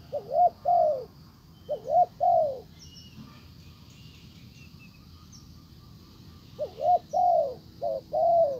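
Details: Spotted dove decoy cooing to entice a wild bird back; two phrases of double coo plus long falling coo, a quiet gap with faint distant chirps, then several more coos.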